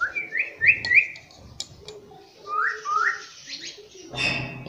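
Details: Pet rose-ringed parakeet, a talking parrot that repeats 'mummy papa', produces short whistled upslurred notes in quick pairs, then scratchy chatter and a harsh noisy burst at the close.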